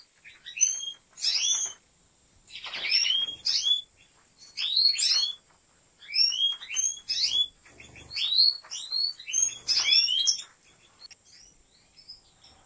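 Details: European goldfinch from a breeder's large aviary delivering repeated liquid, twittering phrases of rising and falling slurs, each burst about a second long and separated by short pauses.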